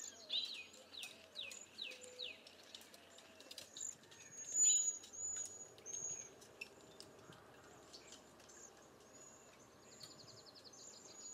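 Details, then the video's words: Cedar waxwings give very high, thin, hissing whistles, drawn out and repeated throughout, with a run of falling chirps from another bird near the start. "Cedar Waxwing Bird Song"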